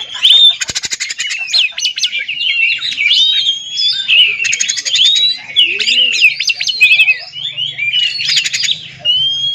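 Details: Oriental magpie-robin song used as a lure to provoke silent magpie-robins into singing: a dense, rapid stream of varied high whistles, chirps and slurred notes, broken by harsh buzzy rattling bursts, continuous throughout over a faint low hum.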